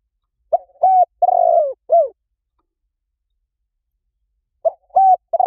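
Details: Cooing of a spotted dove, meant to draw birds in: one complete low four-note phrase with a rough, drawn-out middle coo, then silence before the next phrase begins.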